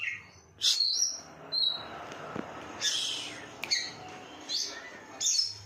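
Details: Energetic oriental magpie-robin song in the konslet style: sharp, high whistled and scratchy bursts come about every second, mixing thin rising notes with rasping chatter over a soft steady background hiss.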